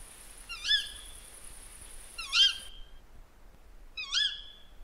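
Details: Three strident, high screeches from a female Tawny Owl, whose song is shriller than the male's and somewhat like a Little Owl's. The calls are spaced roughly every one and a half to two seconds against faint background hiss.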